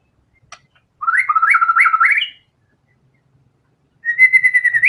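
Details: A white-rumped shama sings its learned filler material with vigour. A quick run of bouncing, stepped whistles ends in a high upturned note. After a pause comes a long, even whistled tone with slight wavering.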